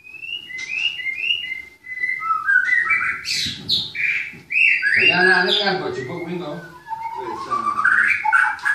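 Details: Caged white-rumped shama at a breeding farm in Klaten, Indonesia, opening with short clear whistles, then building to loud harsh squawking notes before returning to rising whistled phrases.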